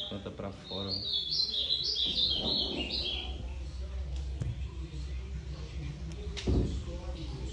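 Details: Ultramarine grosbeak singing a short warbled phrase of stepping whistles early on, while low rumbling noise, clicks and knocks continue through the rest.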